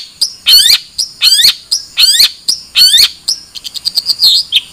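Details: Long-tailed shrike: loud, rasping, buzzy calls alternating with short sharp notes, four harsh bursts in quick succession, ending in a rapid ticking series and a slurred note.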